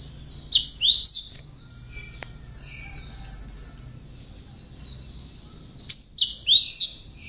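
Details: Bar-winged prinia notes woven into a cinereous tit's song, meant for tutoring songbirds: two loud bursts of sharp, swooping whistled notes at start and end, between a continuous high rapid chatter and soft mid-pitched whistles.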